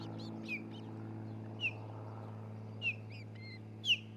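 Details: Osprey at a new nest in Charlo, Montana, nest camera, 27 June 2018 around midday: four short, piercing, falling whistles spaced roughly a second apart, with fainter chirps between them and a constant low hum underneath.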